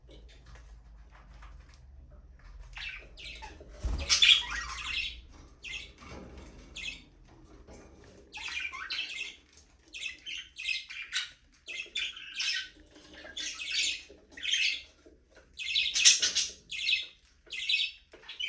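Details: Budgerigars flying free in a small aviary give a run of scratchy, high chirps and squawks in short bursts.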